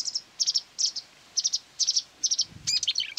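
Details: Wild marsh warbler lured by a phone playing its voice, singing while fiercely trying to outsing it near a quarry in May 2020: quick clipped triplets of high chirps repeated every half second, then a run of varied whistles.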